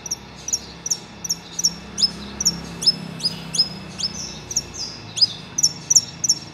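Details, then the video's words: A saffron finch sings, excited on hearing other saffron finches singing: a quick series of sharp, high chips and short downslurred notes, roughly three per second, over a faint low background hum. "Canário da Terra Cantando"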